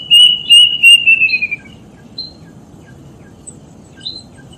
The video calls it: THE VOICE CALL OF THE DEATH BIRD